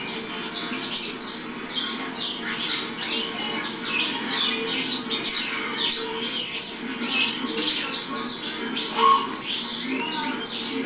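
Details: Saffron finch: dense, overlapping sharp chirps and short squawky notes, high-pitched and nearly continuous, as if several birds call together, with a faint low hum in the background.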